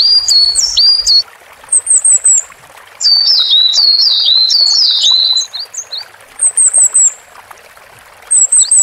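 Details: Cinereous tit (gelatik batu) singing in gacor style, high clear whistled notes sliding up and down in short two- and three-note phrases, bursts separated by brief pauses, over a faint steady hiss.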